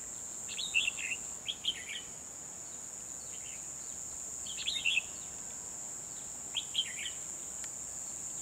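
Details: Decoy red-whiskered bulbul singing beside a trap cage on 12 December 2020 to lure wild birds: four short, bright warbled phrases, each rising and falling, spaced about two seconds apart, over a steady high-pitched hiss of insects.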